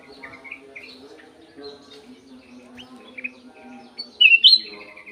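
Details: Golden-fronted leafbird in an aviary, mostly soft, muttered twittering notes, ending in one loud, clear twisting whistled phrase, with a steady low hum behind.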